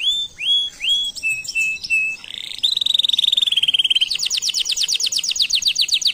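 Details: A canary gives several clear slurred whistles, a steady pure tone, then breaks into a fast, evenly pulsed high trill that runs to the end.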